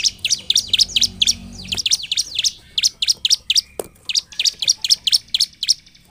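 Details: Bar-winged prinia's persistent 'gacor' song for provoking other prinias to sing: a long, lively series of sharp, high, downward-flicking chirps in a quick, rhythmic stream with one brief faint lower note.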